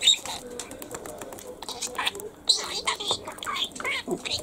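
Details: Talking pet lutino budgerigar indoors: a rapid, whispery stream of high scratchy mimicked syllables mixed with sharp clicks and squeaks, delivered almost without pause.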